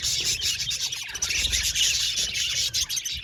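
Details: Short burst of loud budgerigar chatter from an aviary colony: many birds chirping and warbling shrilly at once over low rumbling.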